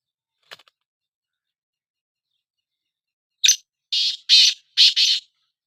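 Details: Black francolin in a calling contest between two birds: a faint brief note, then after a long pause one rapid phrase of four loud, rasping notes.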